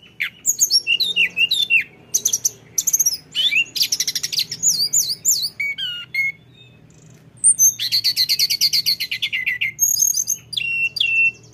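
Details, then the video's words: Lesser shortwing in ngeroll song: a fast, tumbling stream of very high chirps, zigzag notes and buzzy trills, broken by brief gaps, with a soft low hum beneath. "tledekan gunung jenis apapun bakal nyuat emosi‼️ dengar tledekan ngeroll ini"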